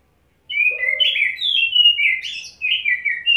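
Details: Kacer, the Oriental magpie-robin, after wet-setting care, singing from one spot and spilling out fill phrases: a continuous run of clear, up-and-down whistled notes with brief buzzy accents and a soft lower note early on.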